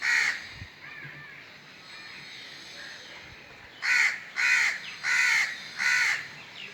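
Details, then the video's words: A crow caws once harshly, pauses through a quiet stretch, then gives a run of four loud raspy caws roughly every 0.6 seconds. "Crow call | Crow sounds | Crow sound effect"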